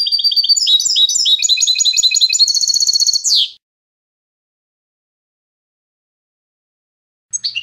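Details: European goldfinch in the clean contest style, canto limpio, used for teaching young goldfinches to sing: rapid tinkling trills and twittering phrases for about three seconds, then silence, with a brief twitter returning at the end.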